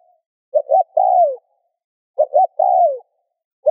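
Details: Spotted dove coos twice in quiet surroundings, each phrase two short rapid notes and a longer mellow note falling in pitch, the start of a third at the end; intended to stimulate other doves to coo.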